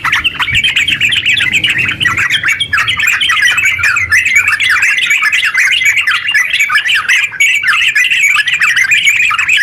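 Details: Long, rapid sooty-headed bulbul song aimed at getting silent bulbuls to sing; rolling, bubbling whistled chatter kept up without pause, over a faint low hum early on.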